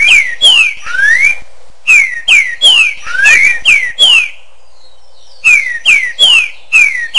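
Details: Green-winged saltator song with echo: bright whistled notes sliding downward, one rising slur, grouped in phrases of four to six notes with short quiet gaps between them.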